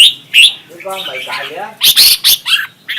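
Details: Red-whiskered bulbul in a singing contest: sharp chirps open and close the passage, with a brief low buzzy, harmonic sound in the middle and loud clipped whistled notes near the end.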